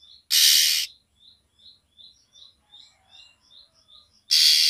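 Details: Female oriental magpie-robin calling for the male to raise his breeding urge: two loud, hissing rasps framing a run of soft, quick chip notes.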